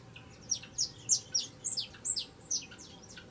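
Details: Young saffron finch giving a short burst of high, descending chirped notes, roughly three per second, each a quick bright slur, against low background hiss.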